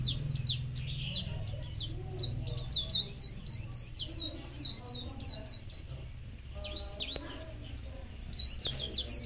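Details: A mixed group of small songbirds, including magpie-robins, sparrows and flowerpeckers, chatter in a dense mix of high, quick chirps and warbled twitters.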